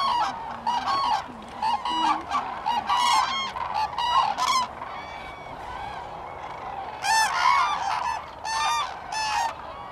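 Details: A large gathering of common cranes at Sweden's Lake Hornborgasjön in April 2017 gives loud, ringing trumpet calls in clustered bursts, with quieter gaps filled by distant bugling and the steady murmur of the flock.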